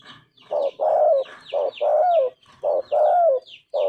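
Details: A steadily cooing spotted dove with a clear golden voice: paired soft low notes, the second longer and drooping, repeated rhythmically beneath busy high chirping of other small birds.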